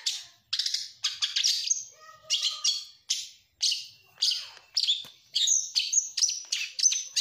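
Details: Oriental magpie-robin under stress, singing as a provocation lure and for daytime tutoring: a steady run of harsh, grating phrases broken by brief pure whistles, each burst about half a second long, with no other sounds.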